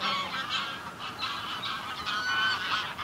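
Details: Small flock of Greylag geese heard from a middle distance, giving a dense run of overlapping honking calls, nasal and harmonic, with no pauses across the short stretch.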